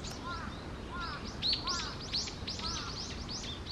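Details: Japanese tit at Okurayama Park, wild; rapid, high chirping notes in dense bursts, mixed with lower, softer double whistles and a steady background hiss.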